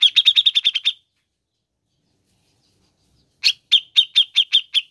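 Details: Cucak jenggot, or grey-cheeked bulbul, playback for prompting caged birds: two runs of rapid, rasping chatter notes, the first fast and dense, the second slower and evenly spaced, with silence between.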